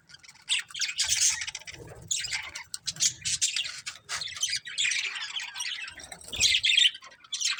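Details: Budgerigar breeding pair giving quieter bursts of harsh squawks and scratchy warbling chatter, separated by short pauses, with soft low rumbling beneath.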